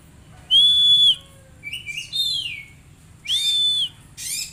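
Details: Oriental magpie-robin song used as therapy to get untrained magpie-robins singing quickly: two long, loud, flat whistled notes with a descending slurred phrase between them, then a short rasping burst at the end.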